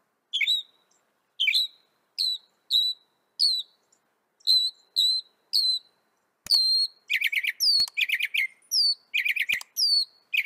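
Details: Northern mockingbird singing: first thin high notes that slide down, spaced about a second apart, then louder harsh chattering phrases mixed with sharp clicks and whistled slurs.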